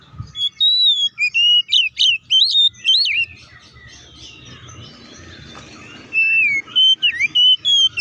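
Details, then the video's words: Oriental magpie-robin as a lure to rouse other magpie-robins; a burst of clear, sharply bending whistles, a stretch of soft hissy background, then another run of sliding whistled notes. "KACER GACOR NGEPLONG TARUNG KONSLET BUKA PARU❗PALING AMPUH BUAT PANCINGAN KACER AGAR CEPAT EMOSI!"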